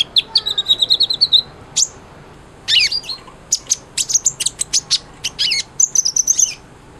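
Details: Sunbird singing hard, offered as tutor material for a white-rumped shama: opens with a fast, even trill of thin high notes, followed by scratchy twitters and rapid high chips.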